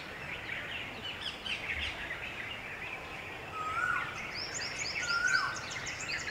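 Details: Red-vented bulbuls, a flock bathing and drinking at a water puddle on a hot summer day; short chirpy calls and a couple of brief whistled notes rise faintly over steady broadband environmental noise, with a quick run of high chirps near the end.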